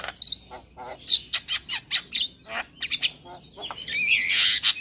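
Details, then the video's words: Male Javan myna singing in the morning in full fill-in style: scratchy chirps and short buzzy notes in a hurried sequence, ending in a harsh, grating rasp. "Masteran Jalak Kebo Pagi Hari Jalak Kebo Jantan Gacor Full isian"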